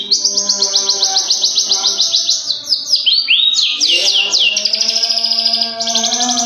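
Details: Long-tailed shrike singing excitedly: a loud, fast series of high, sharp repeated notes, then swooping slurred phrases and another rapid trill, over steady background music.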